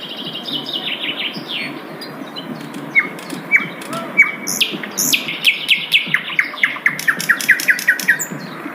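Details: Asian brown flycatcher in the wild, giving scattered clear whistled notes, then a fast twittering run of short falling chirps with high ticking notes toward the end.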